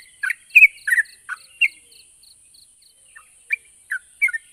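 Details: Yellow-vented bulbul singing, meant to prompt quiet birds to respond; a short burst of liquid chattering notes, a pause with soft faint ticks, then a few more scattered bubbly phrases.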